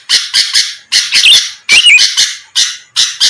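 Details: Sooty-headed bulbul sounding lively, recorded as a lure so rivals answer quickly: paired rasping notes, then a tangle of looping whistles in the middle before the harsh pairs resume.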